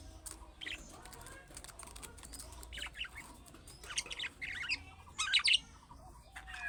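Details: Budgerigar calling chatter of the young-bird sort that prompts replies from other budgies; sparse quiet chirps and warbles building to a few louder, bright squawky bursts near the end.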